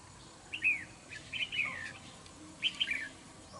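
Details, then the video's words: A wild-caught red-whiskered bulbul used as a trap-fighting lure, described as aggressive with a good voice, gives three short bursts of bright, warbled whistles, each about half a second, over a steady background hiss. "Bẫy Đấu Chào Mào"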